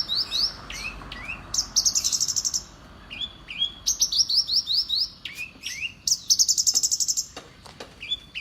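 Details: Champion-tuned Horsfield's bush lark, which imitates prenjak, ciblek and sparrows, alternates rapid high rattling trills with clusters of rising whistled chirps and brief gaps.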